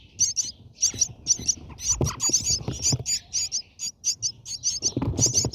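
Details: Brahminy starling at the nest, viewed from inside during feeding: quick bursts of thin, high chirps in clusters, with soft low bumps and rustling, especially around the second and fifth seconds.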